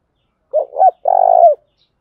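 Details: Spotted dove used as a lure to stir a newly caught dove into calling: one coo phrase of two short rising-falling notes, then a longer, buzzy, level coo ending in a dip, with no background.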